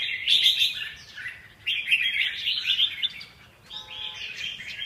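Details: Chirpy, warbling phrases from a red-whiskered bulbul, two loud bursts split by a brief lull, the notes quick, bright and slightly slurred, with low background noise.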